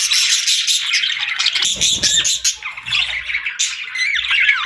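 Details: Parakeets in summer chirping in a dense, continuous chatter of buzzy, scratchy warbles and squeaks, with a few rising whistled notes near the end and faint low thumps partway through.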